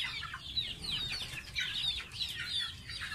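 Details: Young pet goose at bath time, giving quick high-pitched peeps that fall in pitch, several per second, steady and insistent, over soft low background noise.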